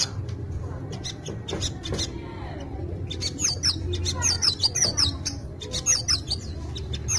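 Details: A captive brown-throated sunbird sings rapid bursts of thin, high twittering notes, its song full of copied white-eye phrases, so much that it has lost its own natural song, over a steady low background hum.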